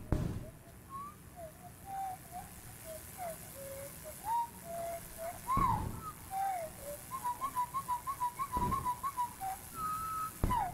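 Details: A Winter Wren song, normally about six seconds long and sung on both the in-breath and out-breath, is slowed to one-sixth speed into a long run of low, sliding whistles and rapid warbled trills, with room hum.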